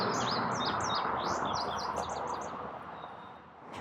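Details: A male Indigo Bunting sings from a high exposed perch in an urban Toronto birding patch in summer, holding a breeding territory: a quick run of high, bright paired notes, bouncing and slightly falling over three seconds, over a steady low rumble.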